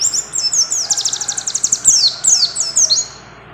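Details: Mountain white-eye female, in breeding condition, calling a male with a rapid high trill of many quick repeated notes, followed by several sliding downslurred chirps that fade out.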